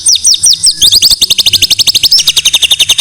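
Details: White-rumped shama singing for a tutor recording: a few looping high whistles, then a dense, rapid train of sharp repeated notes that keeps on to the end.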